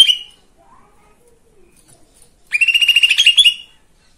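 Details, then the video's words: Lesser green leafbird song used to provoke other birds into singing: a brief high note at the start, a pause, then a fast rattling trill of about a dozen rapid pulses lasting roughly one second. "Pancingan anti bisu !! Cucak ijo mini,, menambah birahi dan emosi,, cucak ijo mini anda.."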